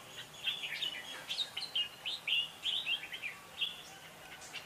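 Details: Red-whiskered bulbul giving contest-style song, used as a decoy for trapping and to spur other bulbuls to sing: a lively run of short, bright, warbled whistles, closely spaced and slightly irregular, with a faint background hiss.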